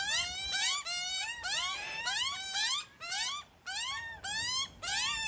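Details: Australian magpie family raising chicks, with two mothers and a father: loud, harmonic, upward-arching squawks repeated rapidly, about twice a second, with short gaps between runs.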